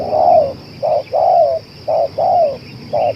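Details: Spotted dove kept as a lure, cooing nonstop for two hours: clear, loud phrases of a short hollow note and a longer descending coo, repeated about once a second over a quiet hum.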